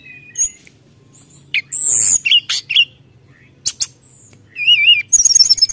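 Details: Brown-chested jungle flycatcher singing vigorously to provoke rivals, scattered bursts of sharp high notes and slurred whistles separated by pauses, ending in a quick wavering trilled phrase and rapid chips.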